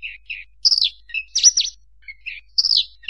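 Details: Short burst of bushlark song: low chirps alternating with high descending slurred whistles and a pair of rapid V-shaped notes, bright and clean.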